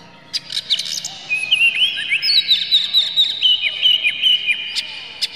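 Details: Oriental magpie-robin lure song, clear and rough, for making a bird agitated and sing: scattered sharp chips at first, then a run of quick, bouncing whistled notes repeated about twice a second, ending in brisk clicks.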